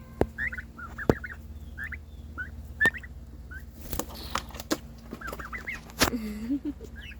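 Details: Pet domestic turkey, one of two siblings, making new noises when its sibling got more attention: a string of short, rising, yelping notes repeated about once a second, with clicks, handling bumps and a woman talking softly.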